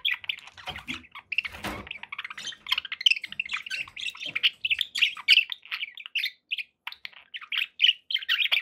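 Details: Happy budgies chattering without pause, a long run of rapid warbled chirps and squeaks, with a rustling scrape near the start.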